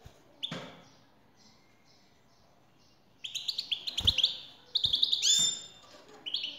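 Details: European goldfinch, a male singing in reply to a female's call; quiet opening with a faint note, then bright, liquid twittering phrases with rapid high trills, broken by sharp knocking thumps.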